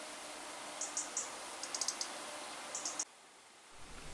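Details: European robin (Erithacus rubecula) parents, both breeding on a balcony with newly hatched young, scold with sharp, high, ticking notes in quick bursts of two to four after their nest was checked, over a steady hiss that cuts off abruptly.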